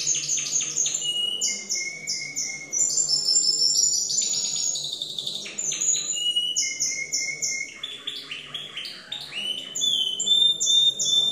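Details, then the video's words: Timbrado canaries singing in a competition: a varied song of quick repeated high notes, rapid buzzy rolls and clear sustained whistled tones, with phrases changing every second or two and no pause. "CANTO DE MIS TIMBRADOS EN CONCURSO"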